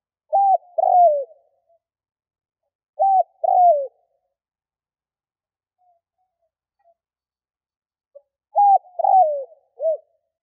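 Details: Spotted dove cooing to attract wild doves. Three phrases of a brief flat coo and a longer descending croo, spaced a few seconds apart, the last followed by an extra short coo, with nothing else audible.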